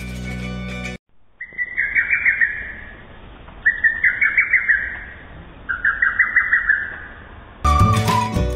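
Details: Lesser cuckoo (Cuculus poliocephalus) song, Sri Lanka: three quick, jumbled phrases of five or six sharp whistled notes about every two seconds, with brief music before and after.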